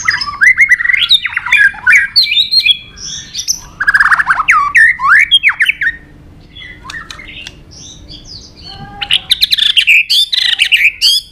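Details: Fighting song of a White-rumped shama, Tạch đập style: dense, varied bursts of slurred whistles, rasping squawks and fast chattering notes in rapid phrases, a brief lull, then another loud tumbling burst.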